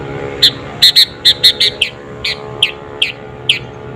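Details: Sooty-headed bulbul singing energetically, an unmixed recording used as a lure to provoke rival birds: a string of short, bright chirped notes, some doubled, repeated about every third of a second, with faint low background hum.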